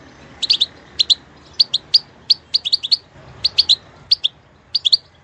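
A goldfinch sings bright, tinkling chirps in quick pairs and clusters, high and liquid, several bursts each second with brief pauses.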